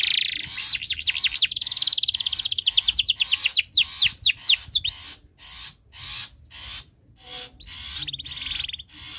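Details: Breeding canary singing steadily to make other birds join in: an accelerating run of sharp downslurred whistles, then scattered clicks and a short buzzy trill near the end.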